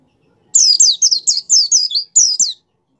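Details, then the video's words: Caged white-eye singing a fast, lively phrase used to encourage other kept white-eyes to sing: about nine quick, high, downslurred whistles run together over two seconds, each note sweeping sharply down, with faint clicks beneath. "suara pleci gacor pendongkrak mampu membuat pleci buka paruh"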